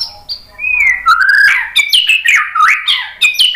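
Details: A White-rumped shama sings to provoke other birds to answer, starting with thin high notes and a sliding whistle, then loud, jumpy whistled phrases that leap up and down in quick succession.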